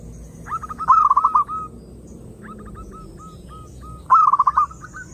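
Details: Song of a zebra dove, meant to attract other doves: a bright stuttering coo roll, a string of evenly spaced soft coos, then another loud rolled phrase near the end.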